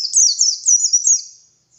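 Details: High, sweet twittering from a wild white-eye singing vigorously in the morning as a lure: linked descending chirps run together for over a second, then trail off.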